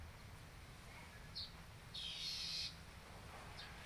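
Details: A yellow-headed weaver trained on canary song, 10 July 2019, gives a brief high buzzy note and then a loud hissing burst of under a second, against steady low-pitched background noise.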